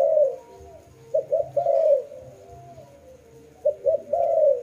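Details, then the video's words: Low, soft dove coos, each phrase two quick notes then a drawn-out falling coo, two phrases separated by a quiet pause. "Lovely dove/ lovey sounds"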